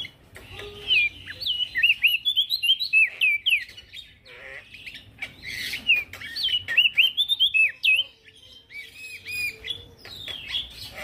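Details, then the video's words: Busy song from an active male prinia, used to train other birds: dense bursts of twisting whistled notes and clicks in two long runs separated by a softer gap, with faint twitters behind. "Prenjak daun Jantan gacor"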